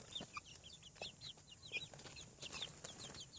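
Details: Newly hatched chickens on a farm, chicks emerging from eggs, giving a steady stream of short, high, downward-sliding peeps that overlap one another, with faint clicks and soft rustling beneath.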